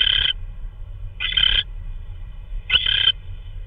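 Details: Owl on March 16, 2013, 3:12 AM, during delivery of prey that may be a vole. Three harsh, hoarse screeches about a second and a half apart over a constant low hum.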